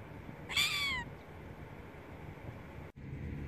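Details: Silver gull (Chroicocephalus novaehollandiae), call.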